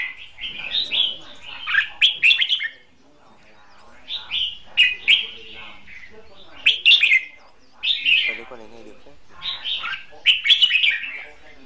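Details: Red-whiskered bulbul in a cage, used as a trapping decoy, delivering loud fighting song: rich, rolling whistled phrases repeated roughly every second or two, with brief gaps and faint background chatter.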